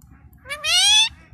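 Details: Caged pet Indian ringneck parakeet learning the word 'mami' (mummy) as its owner repeats it: a short lead-in note, then a sustained, rising, strongly harmonic utterance of roughly half a second over quiet room noise.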